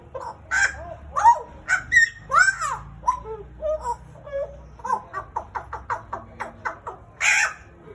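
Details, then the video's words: Caged Pied butcherbird, kept around two years, described as endemic to Papua, Indonesia, giving slurred rising and falling whistles, then a quick run of short clipped notes, ending in a harsh burst. "JAGAL PAPUA GACOR, Cracticus Nigrogularis Papua Indonesian endemic Bird"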